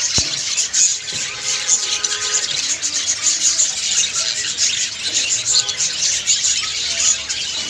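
Budgerigars chatter continuously, a dense high warble of chirps, squeaks and buzzy trills from several birds at once, with faint harmonic tones underneath.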